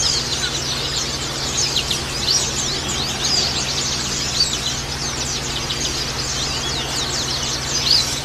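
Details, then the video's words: White-eyes for luring birds: nonstop high-pitched twitters and sharp chirps from many birds overlap densely, over a faint steady hum. "Burung pancingan pleci"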